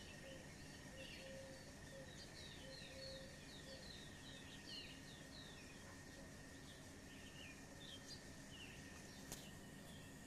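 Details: Evening bird chirping: clusters of quick, high twittering notes, with a few lower, short tonal notes early on, set against a constant high-pitched hum and low rumbling noise.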